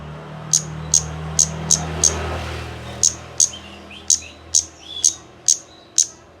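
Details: Kemade calls played to get a bird singing quickly: crisp high clicks in an uneven series of about a dozen, over a low background hum.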